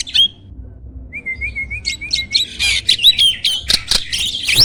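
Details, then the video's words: Champion contest starling used as a master recording for training songbirds: a smooth, wavering whistled phrase leads into loud, dense bursts of harsh, buzzy and chattering notes mixed with sharp high whistles. "MASTERAN BURUNG JALAK SANG JUARA!!"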